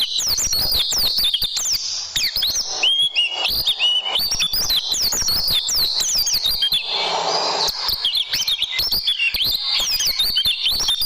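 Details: Oriental white-eye song from a tutoring recording for caged birds: extended fast, high twittering with zigzag whistled phrases, briefly overlaid by a soft rushing noise midway.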